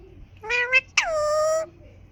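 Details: Green ringneck parakeet voicing a wavering double squawk and then a loud, drawn-out harsh note that sweeps down and levels off, heavily harmonic, over quiet indoor background.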